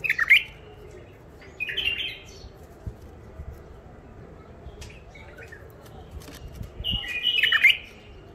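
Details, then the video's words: Wild-caught, untrained bulbuls from Mandali, Iraq, kept caged in their first isolation after capture, give short bright chattering phrases near the start, middle and end, separated by quiet stretches with low indoor rumble. "بلابل وحشيات خامات كاع منفذ مندلي لسانات روعه"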